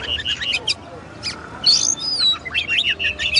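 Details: Kacer or oriental magpie-robin song: clipped chirps, then long clear high whistles sliding down, followed by quick rising and falling notes, with a quiet hum beneath.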